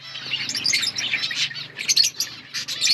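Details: Budgerigars in an outdoor colony chirping together: dense overlapping high twittering and warbling notes, a continuous chatter of many birds with short squeaky bursts throughout.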